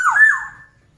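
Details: A single brief, mellow whistled phrase from an actively singing black-naped oriole, dipping then rising before fading out.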